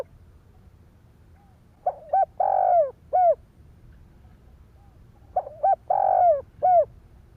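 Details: A spotted dove repeats its stimulating coo twice, each phrase a pair of short notes, a broad drawn-out coo and a trailing downward-curving end note, set over steady low background noise.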